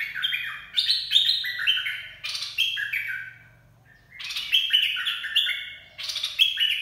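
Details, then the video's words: A bulbul sings 'dok taeng' phrases for training young birds and luring birds. Cheerful, stepped whistles rise and fall in quick groups, with a pause near the middle before the song resumes. "เสียงนกกรงดอกแตง เพลงน่าฝึกหัดลูกนก ล่อนกหัยคัก"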